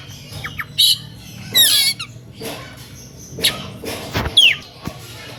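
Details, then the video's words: Oriental magpie-robin giving an emotional song meant to make other magpie-robins sing along; scattered harsh noisy bursts and quick whistled sweeps, uneven spacing, some clattering knocks between phrases. "SUITAN KACER NGEPLAY EMOSI MEMANCING LAWAN IKUTAN BUNYI"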